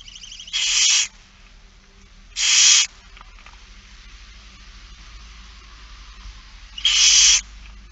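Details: Harsh, broadband hissing screeches of a barn owl during feeding, recorded in Friesland, Netherlands, 8 September 2019: three long rasping bursts spaced a couple of seconds apart, with a faint low hum beneath.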